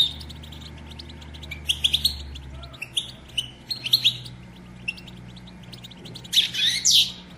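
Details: Female European goldfinch batbata, the call that stirs males to sing and mate: short clusters of sharp high chirps and twitters spaced by pauses, ending in a louder tinkling burst, with a faint hum.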